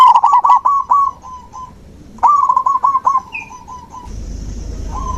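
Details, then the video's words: Zebra dove song meant to restart a dove that has quit singing; two quick bursts of stuttering, bubbly coo notes, a faint higher chirp between, then low noise and a final short coo. "Terapi alam perkutut macet mogok bunyi"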